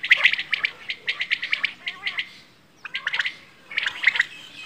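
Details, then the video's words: Quail, called bedana or batair, uttering rapid strings of crisp chirps. A brief quiet gap comes after the first run, then further clustered bursts follow. "Quail | Bedana | batair ki awaaz"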